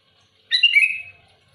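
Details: Loud, active sooty-headed bulbul song aimed at pressing rival birds: a single quick gurgling whistled phrase that jumps up and then trails down in pitch, with little else audible.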